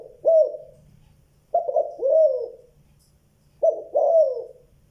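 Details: A spotted dove calls, its voice described as giọng đồng tốt, tiếng 2 hậu lỡ. Mellow low cooing comes in short phrases about every two seconds, a clipped double note followed by a longer downward-gliding coo.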